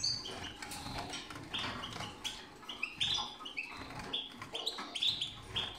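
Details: Lutino and yellow lutino European goldfinches of the parva line, being prepared for the 2022 breeding season, twitter in quick, tinkling bursts of bright, liquid notes, several birds overlapping, with soft wing flutters in between.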